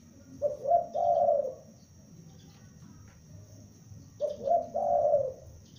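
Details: Two calls from a young spotted dove used for luring, spaced about four seconds apart: short coo, short coo, then a drawn-out lower coo, with a low steady hum behind.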